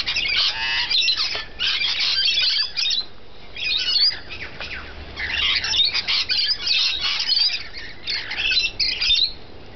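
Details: Feeding rainbow lorikeets keep up an almost continuous harsh, grating screech, with dense overlapping squawks and only short gaps.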